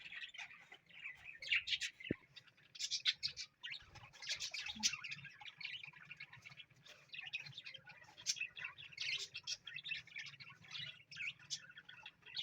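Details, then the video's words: Pet parrot keeps up a long stream of scratchy chirps, squeaks and warbled bursts indoors, with a single sharp click early on and a low hum beneath. "Amazing Parrot Moments"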